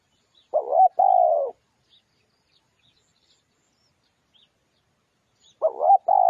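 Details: Spotted dove cooing as a lure: a two-part phrase of a short rising note and a longer level coo, then a long quiet gap before the next phrase begins; faint distant chirps.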